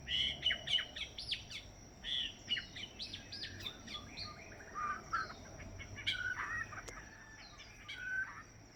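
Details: Perched white-rumped shama on Kauai pouring out a long, varied song of crisp chirps, sliding whistles and short trills, phrases following one another rapidly with brief gaps, over a faint steady outdoor hiss.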